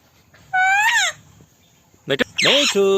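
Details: Indian ringneck parrot giving a clear, harmonic, speech-like phrase that rises then falls, followed after a pause by a quick double click and a harsher, wavering vocal sound.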